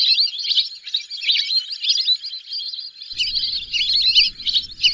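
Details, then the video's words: High-pitched whistling from a group of whistling ducks, rapid overlapping twitters running without a break, with faint low background noise entering in the last two seconds. "whistling dack call/sound /বালি হাসের ডাক/শরালী পাখির ডাক"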